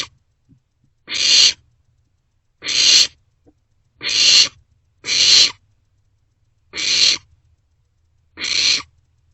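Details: Young barn owls in a nest box at night in late March, passing food back and forth; loud hissing screeches repeated roughly every one to two seconds, six rasping bursts in a row.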